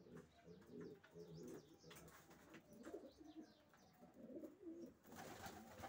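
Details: Racing pigeons cooing softly in low, rolling phrases among several birds, with clattering and a rushing noise toward the end.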